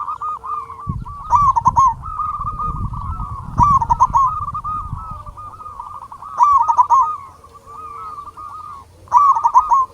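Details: Zebra doves, a local Indonesian type, sing in a lure recording meant to excite other doves into song. Overlapping rolling coos play throughout, with loud bubbling trilled phrases roughly every three seconds and some low rumbling early on.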